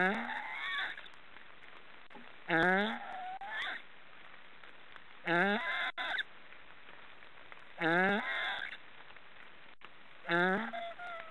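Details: Black storks snoring: five harsh, honking bursts with stacked harmonics, each starting low and sliding upward, repeated about every two and a half seconds over a steady background hiss.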